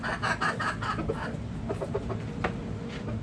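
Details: Backyard chickens: a quick string of loud, rough clucks in the first second, then softer scattered clucks and clicks over a low rumble.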